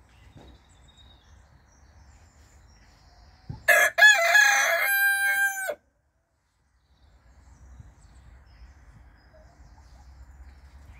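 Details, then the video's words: Rooster of unknown breed crowing once: a loud, harsh cock-a-doodle-doo lasting about two seconds, starting with a short broken note and ending in a sustained falling tone, with quiet low rumble before and after. "rooster crowing"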